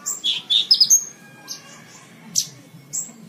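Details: Song of a Horsfield's bush lark meant for training cage birds: a brief cluster of warbled, slurred high notes, followed by a few isolated thin chirps spaced apart.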